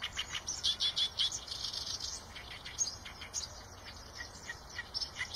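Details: Eurasian tree sparrow chirping: a loud cluster of quick chirps early on, then sparser, softer calls scattered across the rest, some brief high notes.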